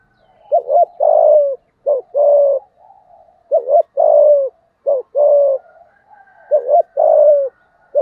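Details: Repeated spotted dove cooing in 'giọng thổ' style, used to rouse wild males: five phrases, each a clipped double note and a longer mellow coo, coming steadily about every one and a half seconds.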